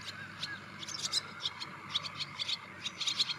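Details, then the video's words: Short, high, chirping notes from a wire-tailed swallow, delivered in quick irregular clusters with tiny pauses, above a soft continuous hum. "Wire-tailed Swallow Call"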